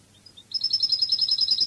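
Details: Spanish goldfinch in Cádiz song style. A few thin high notes lead into a fast, bright, evenly repeated twittering trill over a quiet low hum.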